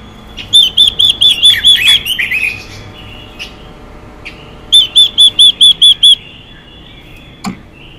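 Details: Female Chinese hwamei singing to stir males: a series of arched whistles that slides into lower, slurred notes, then after a pause another even run of seven whistles.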